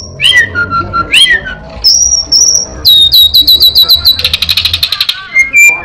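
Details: Orange-headed thrush imitating ashy prinia, a cat and other birds: upward-sweeping notes, a long high whistle, a rapid ringing trill and a buzzy rattle, ending with short whistles.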